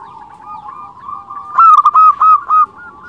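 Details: Lure song of a local zebra dove (perkutut), meant to excite other doves: a low, continuous cooing murmur, then a loud phrase of four rapid, bubbling coos that fade into a softer trill.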